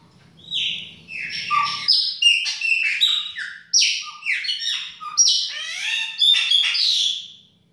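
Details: Chopi blackbird singing in a kitchen, in the baianinho style: a rich run of loud whistled and buzzy phrases with sharp upward and downward notes in quick bursts, and a low hum at the start.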